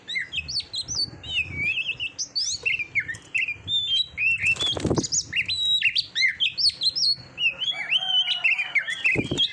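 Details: Training recording used to bring on a competition Oriental magpie-robin: rich continuous song of varied whistles, quick slurred notes and chattering trills, with one brief rushing burst near the middle like wing flutter.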